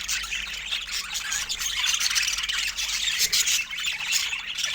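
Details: A crowd of pet budgerigars squawks and squeals in a thick, shrill chorus of rapid chirps and rasping notes, steady throughout with brief louder bursts.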